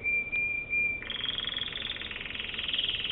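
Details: American Singer canary song: a steady high whistled tone, briefly broken, then a long fast buzzy roll held at one high pitch with slightly rising volume.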